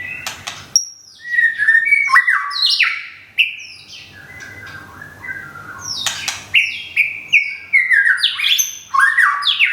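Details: Caged white-rumped shama from Thung Song, Thailand, recently moved and regrowing feathers after a moult. Loud, rich song of whistled phrases that rise and fall, mixed with sharp clicking notes, a quieter pause midway, then fresh bursts.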